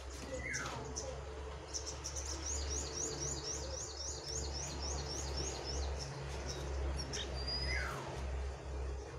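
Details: Jongkangan birds in a singing contest between a wild bird and a caged bird: a rapid run of high, thin repeated chirps with a few descending whistled slurs over a steady low hum.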